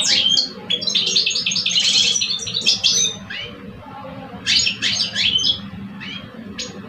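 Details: Caged male European goldfinches, a seasoned older bird against a two-year-old, competing in song in Algeria. A long tumbling burst of twitters and buzzy trills, a quieter gap, then another bright chattering run and a few single notes.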